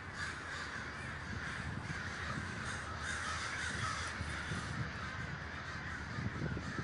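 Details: Huge crow gathering in Davis, California: countless birds caw at once, giving a steady, even roar of harsh calls over low-pitched rumbling background noise.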